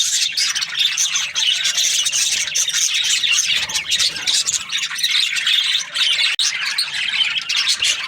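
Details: Budgerigars kept as breeding pairs in an aviary chatter nonstop, with high buzzy warbles and sharp squawks layered over one another. One brief click cuts through near the end.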